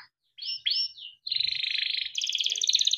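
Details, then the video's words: Male yellow canary kept by a breeder, singing tutor song for young canaries: two swooping slurred notes, then a dense buzzy rolling trill climbing into a higher rapid trill. "Suara Kenari GACOR PANJANG untuk pancingan kenari paud || masteran kenari || yellow canary singing"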